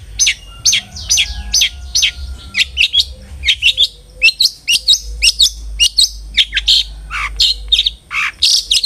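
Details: Long-tailed shrike (cendet) lure to make a kept shrike sing often: a loud, rapid string of varied chirps, twitters and short downward notes, with a faint low hum behind.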